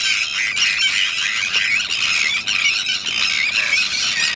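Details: Sandwich terns at their breeding colony at the Salins d'Hyères, late in the breeding season with the first chicks about to fledge; a dense, unbroken chorus of many harsh, grating, overlapping calls with no pauses, briefly dipping around two and a half seconds.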